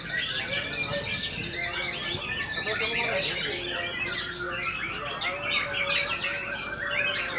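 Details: A competition white-rumped shama in Mojokerto on 22 October 2023, on its debut at the contest, delivers a continuous stream of bright, rich whistles and quick trills, with a little lower warbling mixed in and murmuring people behind.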